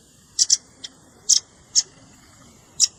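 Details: Velvet-fronted nuthatch with juvenile calls, made for luring birds: a few dry, high ticking notes, two quick pairs then isolated chips across about three seconds.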